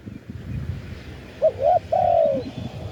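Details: Wild spotted dove, recorded live, giving its khan yon ha cooing style: a short hooked coo, then a rising slurred coo and a long falling one, all mid-pitched over low rural background rumble.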